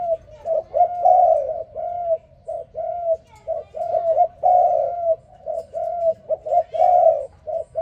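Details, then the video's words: Spotted dove cooing in the morning: soft, low hoots strung into quick repeated phrases of several coos per second, in bursts, with a faint room hum behind. "Sound Spotted Dove ln The Morning"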